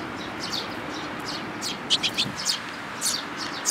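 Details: Chicks and adult Eurasian tree sparrows, May 13, 2018, in a busy chatter of quick, shrill chirps, several per second in places, loudest in a short burst midway, over steady hiss.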